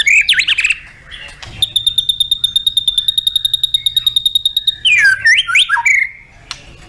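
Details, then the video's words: White-rumped shama contest song: brief tangled whistles, then a long, even, rapid series of sharp ticking notes lasting about three seconds, followed by a quick burst of twisting, varied whistles. "TEMBAKAN MURAIBATU & ISIAN LENGKAP"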